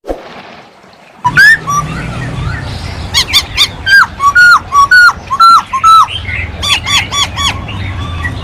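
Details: Masked laughingthrush in full song: after a second of quiet, a loud series of clear whistled notes, each sliding up then dipping, repeated about twice per second, mixed with sharp rattling bursts over a low background hum.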